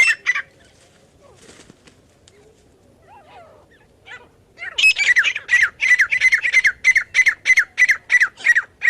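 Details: Partridge call used to lure partridges for trapping: brief notes and faint chirps at first, then a sustained series of loud, grating paired notes. The notes repeat about three times a second at a regular pace.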